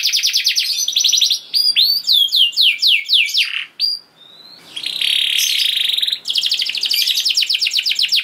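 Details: Canary lure song for caged canaries: a rapid high trill, a run of downswept notes, a short pause, then a buzzy rolling section and another fast trill.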